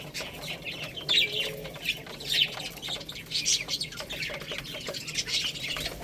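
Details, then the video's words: A group of chicks pecking at rice call with thin, high cheeps in loose bursts roughly every second, overlapping one another, with soft ticking sounds underneath. "Beautiful Little Chicks Chirping Sounds | Cute Baby Hen Eating Rice"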